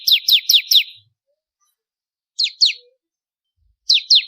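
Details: A crystal-type bar-winged prinia in full song, recorded as a master for contest birds, gives four quick high falling chips, then two short pairs of the same downswept notes after pauses.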